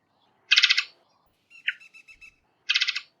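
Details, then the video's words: Two loud, harsh, rattling rasps from a varied thrush bracket a single sharp chip and a soft series of faint pulsed notes. "Varied Thrush Call - Varied Thrush Call Sounds - Varied Thrush Bird Call - Varied Thrush Chirp"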